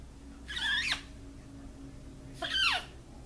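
A macaw gives two harsh, nasal squawks about two seconds apart, each dropping in pitch at the end, over a faint background hum.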